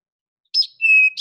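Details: Eastern Towhee song in the familiar 'drink-your-tea' pattern: a bright high note, a longer steady lower whistle, then a quick buzzy trill, sweet and musical though this one sounds a little hoarse; no other sounds.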